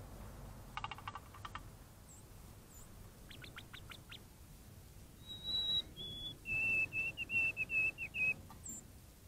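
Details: At a bird bath on April 12, 2022, a White-throated Sparrow sings clear whistles: a long, high, steady note, a slightly lower one, then a quick run of about six repeated lower notes; other birds chip and twitter earlier.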